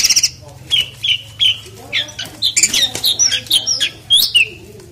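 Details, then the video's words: Loud song of an Asian pied starling (jalak suren) as it is bathed: bright, clear whistles and squeaky notes, separated at first, then crowding into a fast, varied chattering run. "KICAUANNYA KERAS SAMBIL MANDI || JALAK SUREN"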